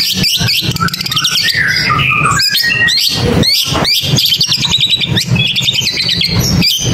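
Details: Long-tailed shrike song made of rapid, chattering whistles and quick upward-sweeping notes, delivered in dense bursts with brief pauses, against constant crackling background noise.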